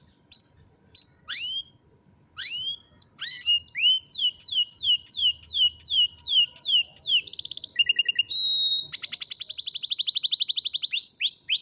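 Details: Belgian canary (Serinus canaria domestica) song: varied, rapid descending whistled slurs, a fast rolling series of swooping notes, then buzzy trills and a high sustained rattle.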